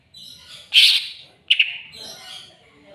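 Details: Greater green leafbird calling as if challenging an opponent: one loud rasping burst, then a quick double harsh chip and a softer fading buzz, with faint background hiss.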